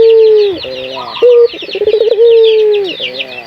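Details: Cooing local puter dove, played to train other puter doves to sing. A long level low coo falling at its end, a short hoot, a fluttering stutter and another sustained coo, backed by busy high-pitched chirps of many birds.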